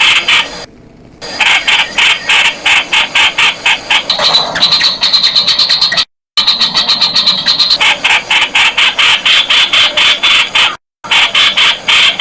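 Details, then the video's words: Calling Streak-eared Bulbul (Blanford's Bulbul, Thai nok khot): long runs of rapid, scratchy chattering notes, a stretch of higher thin whistles partway through, and a few abrupt silent gaps. "เสียงนกปรอดสวน "นกขอด" Streak-eared Bulbul sound"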